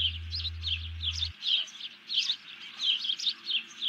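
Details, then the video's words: Alarm from a bald eagle after it snatches a fish, 31 July 2020; high, squeaky chirps repeat about one and a half times per second in an uneven series, with a short hum at the start. "grabs the fish, alerts"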